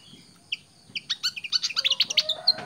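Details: Pied fantail, a tame bird, opening with a few spaced high chirps that quicken into a lively, rhythmic string of sharp squeaky notes, roughly ten in a second and a half.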